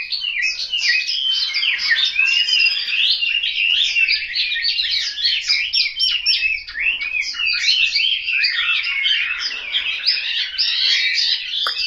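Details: Chinese hwamei caged at home in Hanoi, singing an unbroken, energetic song of quick varied whistles and chattering notes.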